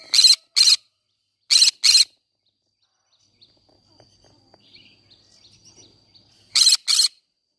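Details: Among flowers in a garden, a green-cheeked conure repeats raspy two-note screeches: two quick pairs, a long quiet spell with faint soft clicks, then one more shrill pair.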